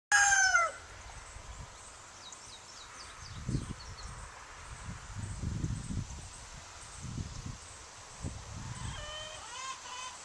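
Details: Rooster crowing, recorded on July 4, 2010: a loud ringing crow ends in the opening second, then low rumbling and thumping noise, and a fainter falling crow-like call near the end.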